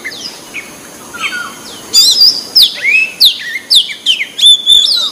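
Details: Wild white-breasted Oriental magpie-robin: soft, scattered whistles at first, then a loud run of sharp, rapidly repeated descending slurs and high ringing notes, about two per second.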